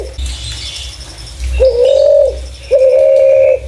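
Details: Spotted dove giving clear calls used to lure other doves: two sustained, level mid-pitched coos, the second after a short pause, with a faint low rumble beneath.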